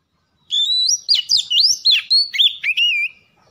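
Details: Oriental magpie-robin (kacer) singing on a lure recording meant to prompt birds into vigorous song: a clear, high whistled phrase of sliding, looping notes, rising and falling, with quick rapid inflections, lasting about two and a half seconds against a quiet background.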